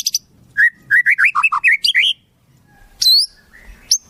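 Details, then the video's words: White-rumped shama tutor song filled with mimicked wild-bird phrases: a series of loud, clear whistled notes that rise and fall, a brief pause, then a sharp high upslurred note and a few softer whistles. "Masteran Murai, Isian Burung Alam Liar"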